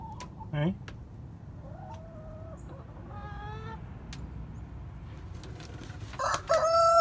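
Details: Chickens on December 14, 2020. Scattered short clucks and rising squawks, a stacked harmonic call near the middle, and a louder strained cry at the end, with steady low background noise.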